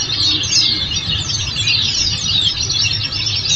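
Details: Chattering Oriental white-eye song from a masteran recording meant to make kept birds reply: rapid high-pitched twitters and short sweeping notes pour out without pause over a constant low droning hum.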